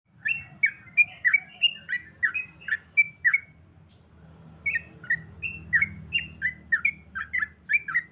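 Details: Sooty-headed bulbul, known locally as trucukan, singing: short bright whistled phrases around two to three kilohertz, each note dipping and rising, given in quick runs with a pause midway, low hum underneath.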